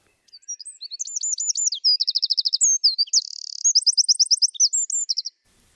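A Eurasian wren delivers one loud, five-second song phrase: very high, rapid trills and bright notes strung together at breakneck speed, with no other sounds.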